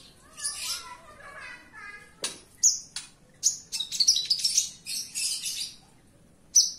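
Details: Javan bush lark in lively indoor song, opening with a warbled phrase, then a rapid series of piercing high chirps and clicks.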